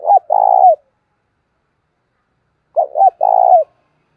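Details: Spotted dove used as a decoy, cooing to lure wild doves: two low, mellow coo phrases about three seconds apart, each a short note or two followed by a longer throaty coo, with silence between.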